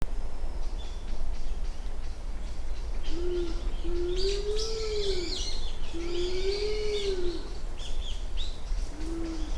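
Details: Japanese wood pigeon calling at Uwajima, Kaminoseki Town, on 29 January 2024 between 07:00 and 07:10: a series of four low, arched, mournful coos, each rising then falling, with small birds chirping and twittering higher above.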